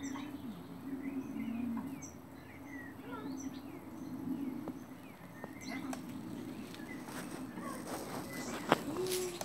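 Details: Wild Mandarin ducklings, born in a Gloucestershire, UK garden in May 2017 to free-winged wild parents, being hand fed live mealworms; soft, thin, descending peeps scattered through, over a low steady hum and faint murmuring.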